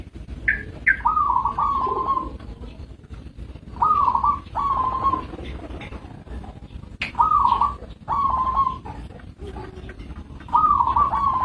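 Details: Local zebra dove (perkutut) repeating short warbled coo phrases, each rising then trilling on one pitch, in loose pairs, with a brief higher note at the start and a low rumbling background.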